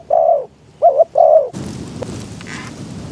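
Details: Spotted dove acting as a decoy to lure wild doves, heard in strong wind. Three mellow coos come in the first half, then loud rushing noise and a click take over.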